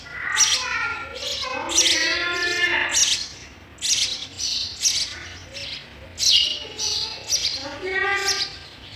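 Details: Nestling sparrows begging as adults feed them: rapid raspy chirps in clustered bursts, loud and high, mixed with lower tonal notes and a voice-like murmur underneath.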